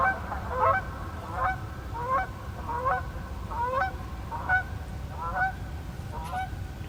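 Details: A flock of about 15–20 Canada Geese taking off from a lake in Maine in fall gives loud, nasal, often two-part rising honks, overlapping at a quick, uneven pace over a steady low rumble; recorded on an iPhone 15.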